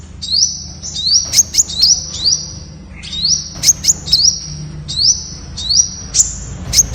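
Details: Temminck's sunbird song: very high, thin notes, each a quick upward sweep flattening into a short level tone, strung in rapid runs with sharp ticks between, a brief pause midway, over a faint low hum.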